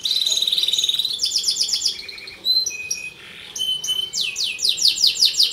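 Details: Canary in full song, used to coach and provoke other canaries or young birds: fast trills, short pure whistled tones, a brief lull, then rolling descending sweeps.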